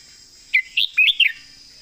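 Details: Red-whiskered bulbul, competition songbird, in 'master song' style: a clear four-note warble, quick and melodious, with a downward slur closing the phrase, set against steady high buzzing noise.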